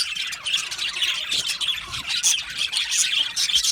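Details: Budgerigars in an aviary colony, described as happy, chirping together: a dense, continuous chatter of scratchy high chirps and squawks overlapping without pause.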